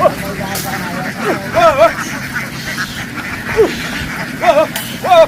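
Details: Farm ducks in a field after running into the water and back ashore, giving nasal wavering quacks in short bursts of two or three notes, with a man talking over a steady low rumble.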